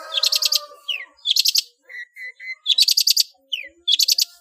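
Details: Long-tailed shrike, a cage bird, delivering a full mimicry-filled master song. Four bursts of fast buzzy rattling are separated by quick downward whistles and three steady, evenly spaced whistled notes.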